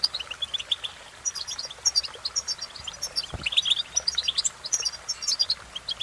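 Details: European goldfinch song: dense, rapid twittering of high chirps and trills, steady bright tinkling phrases throughout with short pauses, light background hiss.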